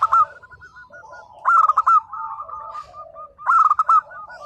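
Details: Zebra dove of local stock singing steadily. Three loud, bubbling coo phrases about two seconds apart, each a fast rolling trill, are linked by quieter strings of short coos.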